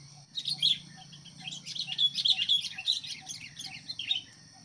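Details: Sooty-headed bulbul kept as a decoy to lure wild birds into fights, giving a busy run of bright, chirping notes with short whistled accents, over a steady high insect whine.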